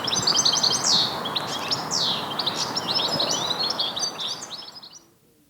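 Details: European goldfinch singing a fast, tinkling twitter of high liquid notes and buzzy trills over steady traffic roar, fading out, on a mild spring Sunday morning walk in Basingstoke, Hampshire, UK, with greenfinch, house sparrow and blackbird nearby.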